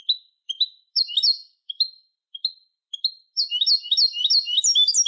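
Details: Song of a European goldfinch for training young goldfinches: spaced, high tinkling call notes repeated at first, then a rapid, continuous twittering run of bright, slurred high notes, with no other sounds.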